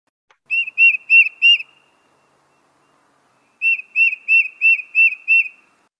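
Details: Tufted Titmouse, typical of urban parks and arboretums in cities, gives clear whistled 'peter peter' phrases, two quick bursts of four then six slurred notes, about three per second, in quiet surroundings.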